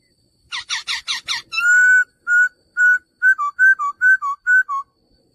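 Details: Male laughingthrush opening with five harsh, broad chattering notes. A long steady whistle follows, then a string of short clear whistles alternating between two pitches, roughly two or three per second.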